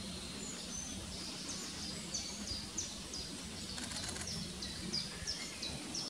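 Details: Spotted flycatcher at De Hoge Dijk, Amsterdam, Netherlands, 12 May 2019, giving thin, high, sharp calls roughly three per second at an uneven pace, over a steady low rumble.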